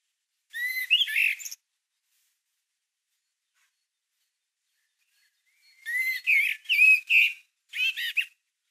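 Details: Song of a Common Blackbird (Turdus merula), March 2020: one warbled fluty phrase, a pause of several seconds, then three quick phrases of rolling whistles mixed with higher squeaky twitters.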